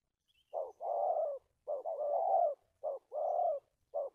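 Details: Decoy spotted dove in a trapping setup, stuttering coo: repeated pairs of a brief low note and a longer, slightly falling hollow coo, with one extra short note at the end, quiet background.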